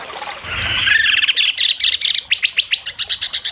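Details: White-rumped shama at an Indonesian singing competition, sharp besetan mimicry; a rising, slurred warble builds into a quick series of upward-flicked whistled notes and fast high chips.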